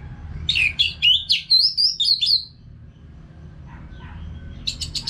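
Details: Orange-headed thrush singing steadily as a training sound for caged birds: a fast run of about seven rising and falling whistled notes, a pause, then a burst of short high notes.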